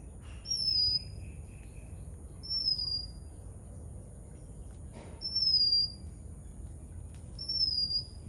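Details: Oriental magpie-robin in Sri Lanka giving clear, high, slightly descending drawn-out whistles, four of them spaced about two seconds apart, over a quiet background with a faint lower warble after the first.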